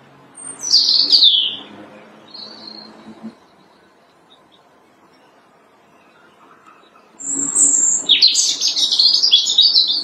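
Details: Robin singing from branches in early spring, in March: bright, high whistled phrases with fluttering trills open the clip, a pause of about four seconds follows, then a longer run of sweet, warbling notes, over a faint low hum.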